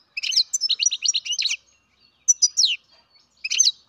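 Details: Baby European goldfinch, captive-bred, twittering steadily: a fast series of bright, clipped chirps, then a few louder descending tweets and a closing short burst.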